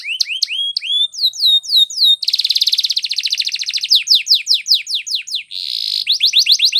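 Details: Singing canary in a training song: curved upslurred whistles, then a dense rattling trill, a run of falling sweeps, a brief buzzy note, and more quick sweeps.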